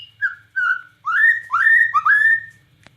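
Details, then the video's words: Bornean white-rumped shama in gacor nembak cililin song: a few short whistles followed by longer, rich, slurred whistled phrases that rise and then level off, ending with a soft click. "Murai Batu Borneo Gacor Nembak Cililin"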